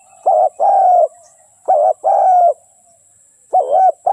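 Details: Steady cooing from a spotted dove decoy used to draw wild birds for trapping: three phrases of a clipped double note and a longer even coo, paced roughly every one and a half seconds.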